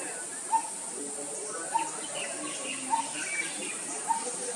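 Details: Repeated single hollow 'tuk' notes from a coppersmith barbet, four evenly spaced about 1.2 seconds apart, with a continuous high-pitched insect hiss behind.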